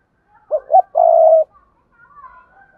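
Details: Đồng Nai spotted dove calling as a lure: short coo, rising second coo and a long steady low croo, then a faint thin whistle from another bird in the background.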